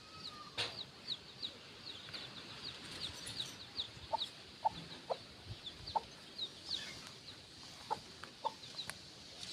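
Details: Chicks feed on the ground beside a free-range mother hen near the coop before dusk. Faint high falling peeps continue throughout, while soft, short, lower clucks come in a loose series in the second half.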